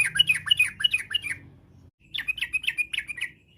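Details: Rapid bubbling song of a Yellow-vented bulbul, in varied style that prompts other bulbuls to reply: two phrases of quick, slurred, dipping notes, roughly three per second, separated by a brief quiet gap.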